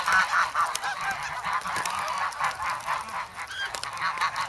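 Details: Geese grown from goslings, noisy and hungry for bread in the snow at an Amsterdam park on February 3; rapid, overlapping nasal honks tumble over one another in a busy, uneven chatter, with faint pecking clicks.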